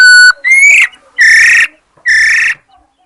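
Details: Female hwamei recorded 22 July 2021. Opens with a steady pure whistle, then a rising slurred note and two loud, harsh, buzzy rising notes, close and strong.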